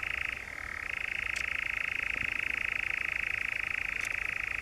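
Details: European nightjar in the Brecks, Norfolk, on 7 July 2017: an unbroken, dry, mechanical churr, a very fast even rattle held at one pitch, dipping slightly lower for a moment near the start, with a couple of faint ticks.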